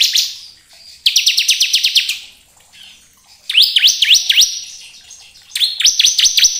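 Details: Ciblek kristal, the bar-winged prinia, in ngebren style song meant to stimulate other ciblek: three phrases of rapid high notes, the middle one made of distinct rising-then-falling swept whistles, the others tighter chattering runs.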